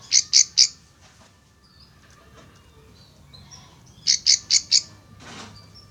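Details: A Plain prinia in a rice field, responding to wild birds' calls, gives quick runs of harsh, buzzy notes: a burst of three, a pause, then four more, with faint background chirps.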